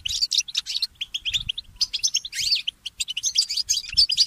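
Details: Goldfinch mule, a goldfinch hybrid, singing in the early morning: continuous fast twitter of sharp chirps, metallic clicks and brief buzzy trills in dense bursts, clean with almost no background noise.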